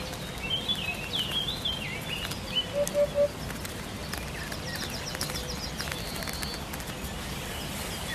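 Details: Hoopoe master song for songbird training: a short run of three low, evenly spaced hoots midway through, with busy high chattering and whistles from other birds above and a constant hiss of background noise.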